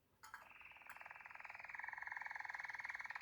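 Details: A Waterslager canary opens with a few sharp notes, then holds one long, even, water-like rolling trill of rapid pulses that grows slightly louder, with no other sounds.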